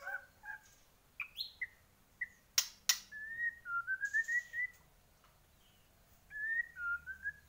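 A White-rumped shama sings rich, varied whistled phrases around mid pitch, with rolling trilled runs and a few sharp clicking notes between pauses.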